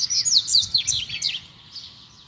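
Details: Double-collared seedeater in a fight-challenge exchange between free and caged birds: a fast tumble of high, sharp, sweeping notes that fades after about a second, with a faint low rumble behind.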